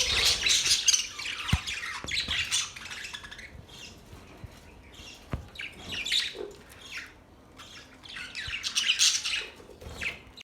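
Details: Parrot chirping: bursts of high, scratchy chirps and short squawks in dense clusters, separated by quieter gaps with soft chatter, plus occasional sharp clicks or taps.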